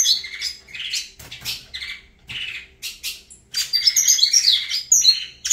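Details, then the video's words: Saffron finch, a bird called Avalanche, singing: bursts of bright chirps and trills with high whistled notes, broken by short pauses. "Canto do Canário da Terra Avalanche"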